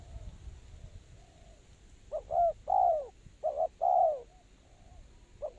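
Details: Spotted dove used as a lure for trapping, giving low hollow coos: a short double note, a longer drawn-out falling coo, then the pattern repeats; quiet background.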